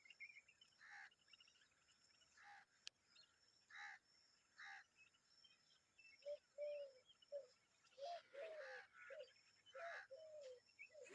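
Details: Common babbler adult with its young making noise: harsh, rasping bursts repeated irregularly, later joined by a run of short, mid-pitched whistled notes.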